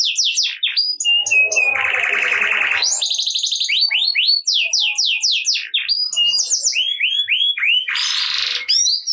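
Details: Canary delivering energetic 'gacor ngerek' song to prompt lazy canaries into singing. Rapid sweeping notes surround a low, grating buzzy rattle, followed by fast repeated slurs and another short harsh buzz near the end.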